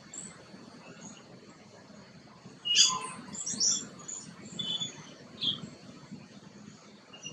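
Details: Green bee-eater filmed close up while preening, giving a short burst of sharp, high chirps near the three-second mark, then a few scattered thin twitters against a low, steady rural background hum.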